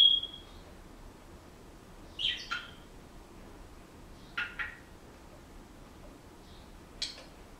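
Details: Pet Senegal parrot at home, making sparse sounds: a short steady high whistle, then pairs of brief sharp chirps spaced a couple of seconds apart, with long quiet gaps.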